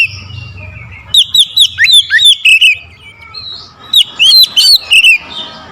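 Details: Aggressive oriental magpie-robin song aimed at provoking a rival: two bursts of rich whistles with fast swoops, rapid chips and a descending slur, separated by a brief lull.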